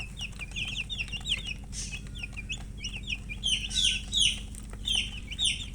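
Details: Colour hen chicken chirping: quick, uneven series of high, downward-slurred peeps, louder and denser toward the end, over a constant low hum.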